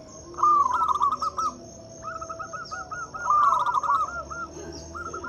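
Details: Zebra dove of local stock singing as a lure: bursts of fast, rippling coo notes, then a longer evenly pulsed run, against a constant shrill whine.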